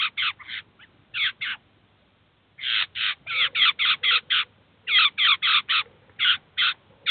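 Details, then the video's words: A Eurasian jay that brought its chicks to a cheese feeder in Kalyga, Russia, to teach and feed them gives harsh, rasping screeches in quick bursts of three or four a second, with short pauses between runs. "Сойка и птенцы"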